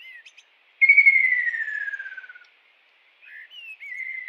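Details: Kingfisher calling in the wild: a short twitter, then a loud, fast-pulsed whistle falling in pitch for over a second, then quieter whistled notes that rise and fall.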